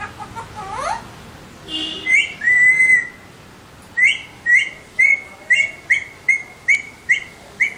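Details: Alexandrine parrot whistling: a few rising chirps, then a long steady whistle, then a string of about nine short, clear whistled notes spaced roughly every half second.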